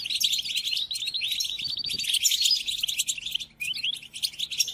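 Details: European goldfinch song used to tutor captive goldfinches: a dense, unbroken stream of bright, tinkling twitters and buzzy trills, high-pitched and fast, with a short dip around three and a half seconds.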